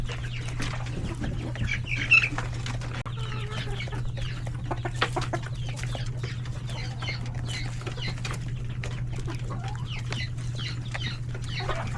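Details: Domestic chickens, roosters and chicks in a coop at a hectic lunchtime feeding; a busy mix of short clucks and high peeping chick calls overlapping throughout, with scratching clicks and a steady low hum behind.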